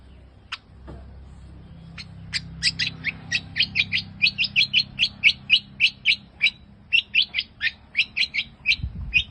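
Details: Rare creamino mutant long-tailed shrike, a kept bird, singing a fast, steady series of bright chirping notes, roughly three per second, building after a few scattered opening notes and continuing for about seven seconds.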